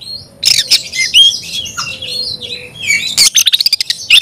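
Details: Oriental magpie-robin singing hard, answering another magpie-robin: a varied stream of high whistles, slurred phrases and harsh buzzy bursts, ending in a rapid run of clipped chips.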